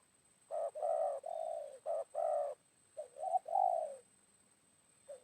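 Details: Spotted dove in Indonesia, recorded around midday after morning rain during trapping with a decoy bird, as a wild dove answers. Soft low cooing phrases: paired short and longer hoots, a pause, then a rising, lilting coo.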